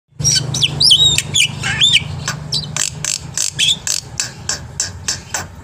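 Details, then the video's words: Black-winged myna in a vigorous masteran recording packed with varied fill-in phrases, meant to provoke other birds into singing. Looping and rising whistles open, then a fast run of harsh, clicking bursts with a steady low hum beneath. "suara masteran burung jalak putih gacor full isian AMPUH untuk memancing bunyi"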